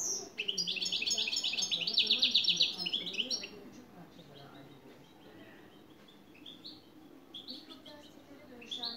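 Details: A European goldfinch sings a dense, fast, tinkling trill for about three seconds, then falls quieter with scattered thin high chirps and brief twitters.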